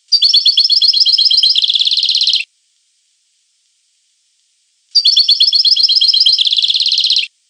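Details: European goldfinch singing two matching phrases of about two and a half seconds, each a fast liquid trill that shifts into a buzzier rattling section, separated by a silent gap.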